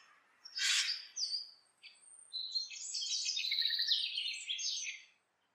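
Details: While building its nest, a house wren gives a sharp burst, a few scattered notes, then a long gurgling, rapidly trilled phrase of about three seconds that fades out.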